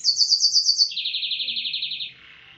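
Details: Canary trained on blackthroat-style song: a fast, even trill of high notes that drops abruptly to a lower, equally rapid trill, then fades into a soft buzzy tail.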